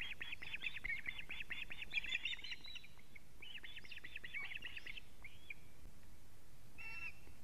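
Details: Osprey alarm calling at a nest in Latvia, evening of 19 July 2017, as the male lands with a living fish. A dense string of sharp whistles, then a shorter cluster and a few isolated notes before silence.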